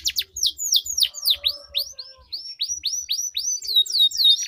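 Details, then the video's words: Canary song from a singing duel used to coax quiet canaries into song: clear descending whistled notes repeated about four times a second, growing into swooping slurs at the end. "Duel Burung Kenari Suara Merdu Ngerol Panjang || Pancingan Ampuh Kenari Macet Gacor Ngerol Panjang"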